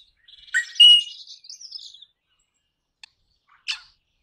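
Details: Crimson rosella giving a loud, clear whistled note that breaks into a fast, buzzy chatter sliding higher, followed by a short silence and a single sharp, harsh note.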